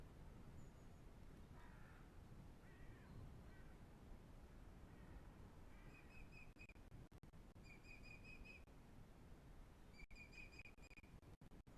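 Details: Osprey at the Pont Croesor nest in the Glaslyn Valley, North Wales, where the birds breed, caught on a live nest camera: a few softer lower notes early, then runs of shrill, rapidly repeated whistled chirps, each run about a second long, over steady low wind rumble.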